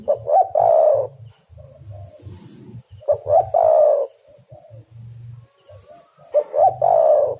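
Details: Spotted dove used as a lure for trapping; three loud phrases of quick double notes ending in a long coo, about three seconds apart, over steady low humming and thumps.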